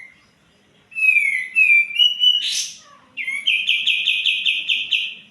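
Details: White-eared bulbul song for prompting birds reluctant to sing. A smooth whistled phrase sliding upward in steps, a sharp burst, then a bright fast trill of about ten repeated notes.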